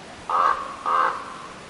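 A raven gives two harsh, hoarse calls about half a second apart, each a rough cawing note; nothing else stands out behind them.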